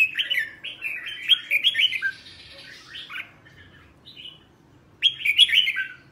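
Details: Caged red-whiskered bulbul singing in the morning during training for the double-note old-forest style. A fast phrase of whistled slurs gives way to a long pause, then another bright warbled burst.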